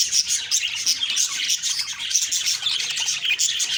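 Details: Budgerigars heard on the morning of October 2, 2023, giving rapid bright tweets and short whistled notes over constant busy chattering.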